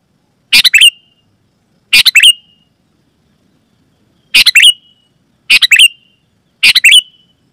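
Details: Sooty-headed bulbul calling loudly and clearly, a lure for other bulbuls. Five short chattering phrases end in a drawn-out note, with a longer pause near the middle.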